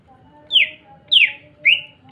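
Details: Excited greater green leafbird singing to trigger song in other green leafbirds: three loud, bright downslurred whistles spaced about half a second apart, with a faint steady hum underneath.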